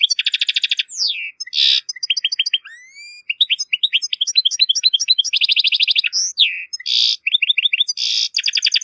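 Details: European goldfinch in full song: liquid, tinkling twitter mixing fast trills, buzzy rasping bursts, rising thin whistles and downward slurs, delivered in a continuous lively stream without background noise.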